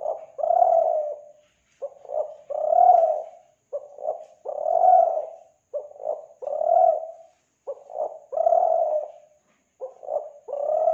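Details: Spotted dove from Kelantan, recorded as a lure for doves: low, mellow cooing phrases, each a short stuttered double note followed by a long drawn-out coo, repeated steadily about every two seconds.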